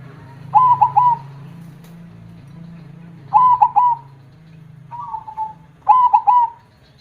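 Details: A big-voiced zebra dove sings actively in the KONG style, giving three loud triple-note cooing phrases with a lingering end, plus one softer shorter coo, over a steady low hum.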